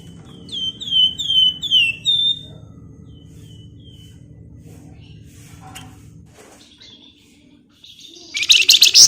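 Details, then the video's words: Flamboyan bird singing in a lively, dense ngebren style, used as a lure for other birds: a quick series of loud whistled notes sliding downward, then quiet, with a harsh rustling burst near the end. "Burung Flamboyan Gacor Ngebren Rapat Nyerecet Nyiul Cocok buat Pancingan"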